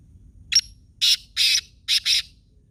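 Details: Black francolin from Khushab giving its harsh, grating call: one short sharp note, a half-second pause, two longer rasping notes, then a quick closing pair. Only low background hum is heard.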